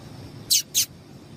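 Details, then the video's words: Two quick, loud, high buzzy chirps from a female yellow-bellied seedeater, a call used to excite males, set against a low, steady hiss. "Melhor Piado de Fêmea de Papa capim Para Esquentar Papa capim"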